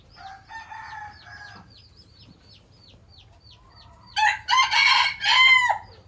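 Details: Traditional Phatthalung-line decoy red junglefowl, home-bred, used to lure wild junglefowl, gives a loud harsh crow of three ragged segments late in the recording, preceded by a run of thin, repeated downslurred chirps from other small birds.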